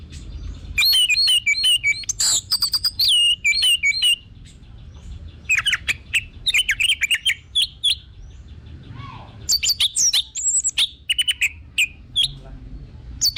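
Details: Orange-headed thrush song played as a lure to encourage other birds to sing: extended, varied whistled phrases in three long bursts, mixing warbled notes, sharp chips and short trills.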